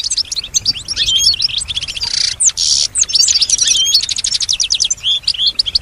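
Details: European goldfinch kept as a pet, singing in response to surrounding sounds it is said to imitate; fast liquid twittering and chirps with two short harsh buzzy bursts midway, then quick twitters resuming.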